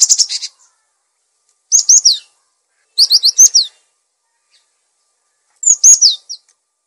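Cinereous tit singing short, high, clear phrases of three to five quick sweeping notes, repeated after pauses of one to two seconds, against a quiet background.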